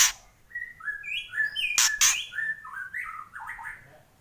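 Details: White-rumped shama song of varied clear whistles, rising and falling, broken by one harsh double burst near the middle.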